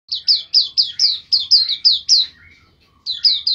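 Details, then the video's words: White-eye song used as a training recording for songbirds: a fast run of loud, high, sharply falling chirps, about four a second, then a short pause before the chirping resumes. "pleci gacor"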